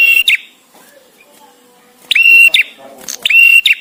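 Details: Visiting male bar-winged prinia singing for songbird master training: two bursts of buzzy, flat whistled notes with rising hooked ends, separated by a long pause with faint background sounds.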